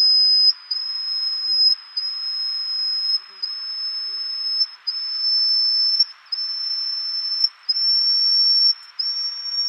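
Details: Endemic-subspecies Yellow-bellied Bush Warbler, a resident of Taiwan's mountains, recorded at Tataka on 9 April 2015. It gives drawn-out, piercing high whistles, each nearly steady and edging upward, linked by tiny pauses in a continuous chain.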